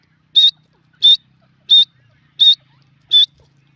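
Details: Grey francolin, locally dhakni teetar, giving five loud, shrill, whistled notes spaced about 0.7 seconds apart in an even, regular rhythm against a quiet background with a faint low hum.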